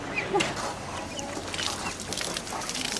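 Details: Call duck ducklings, a tiny domestic duck breed, while sunbathing and bathing; scattered short, high chirping peeps rise above a steady background hiss, with faint soft rustling throughout.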